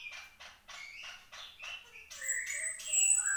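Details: Horsfield's babbler singing vigorously: a run of short scratchy notes, then a series of clear whistled phrases that slide up and down at several pitches.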